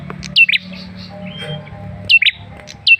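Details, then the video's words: Male red-headed tailorbird, used to provoke a response: loud paired downslurred chirps at start and end, with softer twittering notes between over low background hum. "Suara pancingan Prenjak Kepala Merah jantan"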